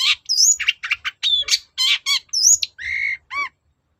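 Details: Long-tailed shrike in energetic song, meant to provoke other shrikes: rapid, dense medley of scratchy notes, sliding whistles and nasal buzzy tones, packed closely for about three and a half seconds.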